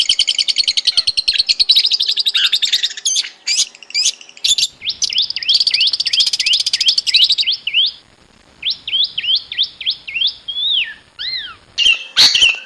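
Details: Long-tailed shrike singing in its natural habitat: loud scratchy chattering trills, then a series of clear whistled upslurs repeated about twice a second, ending with falling whistles and a sharp burst.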